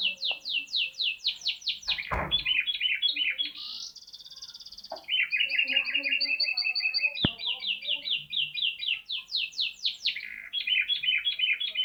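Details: Canary singing a strange-sounding song of rapid rattling trills, a buzzy held passage, then long runs of repeated clear chirps and a quick chattering roll, with a few faint clicks.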